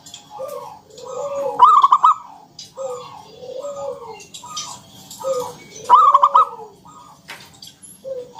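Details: Local zebra dove in the NGALUN singing style with a round 'kung' note, used as a lure to draw other doves into singing. Soft, rolling coos repeat in steady phrases, with a brighter trilled burst near the second and sixth seconds.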